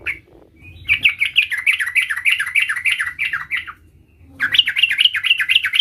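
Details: Young sooty-headed bulbul learning its rolling song: rapid bubbling chattering phrases of quick up-down notes, two bursts separated by a short pause, with faint low background hum.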